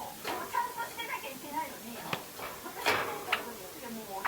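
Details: Java sparrow (Padda oryzivora) about two and a half months old practising its song (subsong): soft, rambling quiet clicks, chips and faint warbled notes strung together unevenly in a small quiet room.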